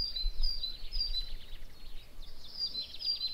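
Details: A Western yellow wagtail in the Teterev river valley gives a series of thin, high, sharp call notes, repeated in quick runs, over a steady low rumble of wind, with other birds singing.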